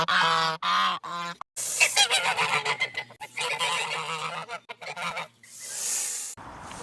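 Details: Geese start with a few drawn-out nasal honks, then burst into a continuous, crowded chatter of overlapping calls, ending in a soft hiss of noise.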